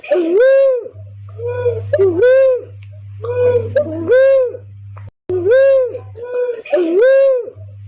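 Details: Lure call of the barred cuckoo-dove for trapping birds: loud, resonant coos, each swelling and then dropping, given in pairs with short pauses, over a constant low hum.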